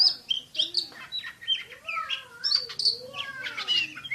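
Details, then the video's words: Oriental magpie-robin, a champion bird in the 'tembakan' style: a quick run of high whistles, then sweeping slurred notes, with some lower downward glides mixed in. "KACER JUARA SUARA TEMBAKAN !!! BURUNG KACER NEMBAK SPEED RAPAT"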